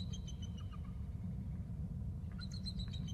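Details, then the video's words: Bald eagle male trilling at the nest during a nest exchange as the female flies in to incubate eggs: a short series of high, thin, chirping notes, then another burst of sharp piping notes, over steady low wind-like rumble. "Mr Em trills"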